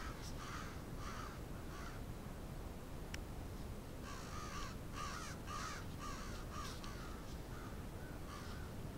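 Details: Crows of a big flock in Moncton, New Brunswick, Canada: short bursts of harsh cawing in clusters, a brief sharp click partway, then a busier run of caws.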